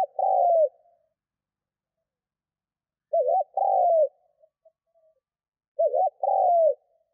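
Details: Spotted dove cooing to lure wild birds: three phrases about every three seconds, each a short wavering note then a longer steady coo, low and hollow, with silence between.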